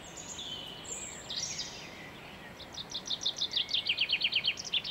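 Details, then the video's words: Common chaffinch in a garden on 23 February 2016, with faint high sounds at first, then a loud, fast series of sharp, high chirps repeated in quick succession and gradually dropping in pitch toward the end. "Buchfink Gesang im Garten"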